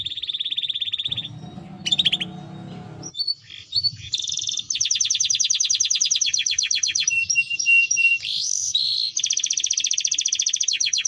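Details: Timbrado canary singing a varied song: high fast trills, rapid repeated notes around 200 per minute, buzzy rolls and whistled tones, with a brief low rumbling noise early on.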